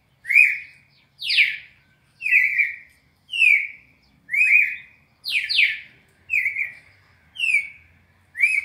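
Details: Red-crested cardinal, classic 4-note training sequence for captive birds: a long, regular run of about nine loud whistled notes near one per second, alternating level slurs and steep falling sweeps.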